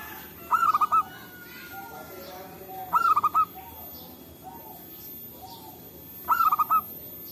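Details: Local zebra doves answering one another in forest, a lure for trapping; three rapid rattling coo phrases about two and a half seconds apart, each a cluster of short pulsed notes, over soft ambient noise.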